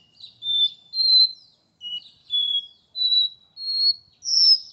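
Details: Porta-voz style song of a caged Capped seedeater in São Paulo, Brazil: a lively run of sweet whistled notes, dipping and then climbing stepwise to a high final whistle.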